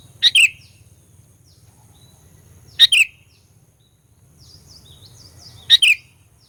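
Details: Fighter lure song of a sooty-headed bulbul for rousing rival birds: three crisp two-part whistled phrases at irregular gaps of two to three seconds, with faint distant chirping behind them.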